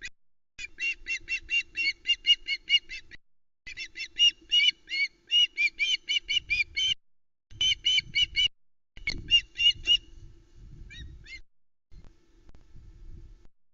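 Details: Juvenile female osprey at the Loch Arkaig nest on 1 Sep 2020 squawks over a huge whole trout brought by her father before flying off with it, calling in bursts of shrill whistled chirps about four a second, with wind gusts and low hum; osprey.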